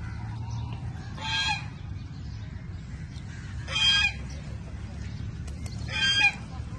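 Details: Crows squabbling and snatching food from one another give three loud, rasping caws spaced roughly two and a half seconds apart, with constant low traffic-like rumble beneath.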